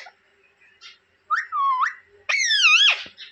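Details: Talking parrot saying 'papa' in Hindi: two loud, nasal, harmonic syllables, the first dipping then rising, the second higher and wavering before a sharp drop, with faint whistles and a quiet indoor background.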